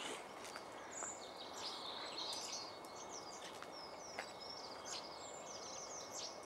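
A male Eurasian siskin gives thin, high twittering notes and short wheezy phrases throughout, set against a steady hiss of background noise.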